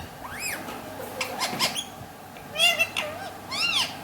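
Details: A pet talking Alexandrine parakeet gives rich, arching, speech-like phrases in Urdu/Hindi that rise and fall, three main bursts about a second apart, with softer chatter in between.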